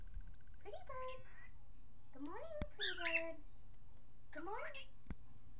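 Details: Pet male cockatiel indoors, which says good morning, pretty bird and step up while absorbed in his reflection, with a dog nearby: three harmonic, speech-like phrases with swooping pitch contours over a steady low room hum.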